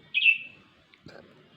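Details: A bulbul in a garden gives one bright, high whistled note sliding slightly downward, then a brief low muffled sound; its call frightened pet birds into screeching while the bird stayed unseen.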